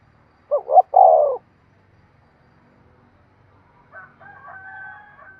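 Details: Spotted dove rousing coo for exciting decoy birds: a single phrase of two short hoots and a long descending coo, then a faint higher drawn-out sound near the end and low background rumble.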